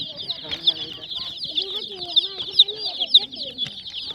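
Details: Baby chickens on a goat farm give steady shrill peeps in a dense chorus, over softer low clucking and faint voices in the background.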